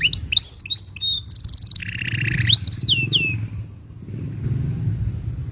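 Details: Tutor song for young canaries and silent canaries: rapid whistled upslurs, then a sustained high metallic tone dropping into a lower buzzy roll, and a final burst of whistled slides, loud and close.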